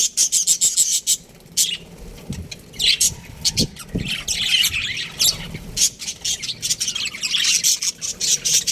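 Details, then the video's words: Baby budgerigars in an aviary chirp in quick scratchy notes and harsher squawks, several birds overlapping, with faint low thumps in the background. "Baby Budgies Chirping Sounds | Amazing budgies aviary"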